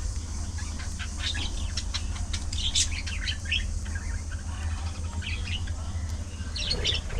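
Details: Budgerigars in a social colony, playing and socializing; scattered bright chirps and short warbling notes from several birds over a steady low hum.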